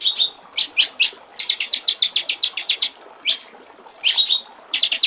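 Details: Clear water-trickle song of a white-rumped shama from a songbird training recording: spaced sharp notes lead into a rapid run of high chips, then a pause and scattered short clusters.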